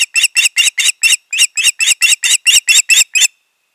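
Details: Loud, close Osprey calling from a pair at the nest in June 2019: an unbroken string of about fifteen harsh, piercing chirps delivered steadily several per second.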